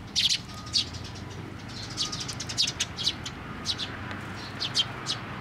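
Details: Sparrow chicks gathering to be fed at a post, Tenmangu shrine, 25 May 2024; dense overlapping bright chirps from several birds almost continuously, with a faint steady tone and low background noise.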